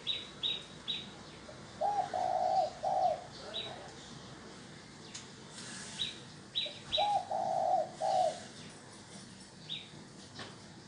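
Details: Spotted dove decoy call used to lure wild doves: two bursts of mellow low coos in groups of three near 2 and 7 seconds. Short high chirps from another small bird are heard between them over steady background hiss.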